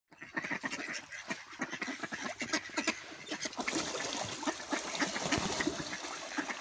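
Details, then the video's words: Ducks feeding and fighting, with a dense stream of harsh, overlapping quacks and splashy scuffling noises that grow busier and louder toward the end. "Ducks feeding, quacking and fighting"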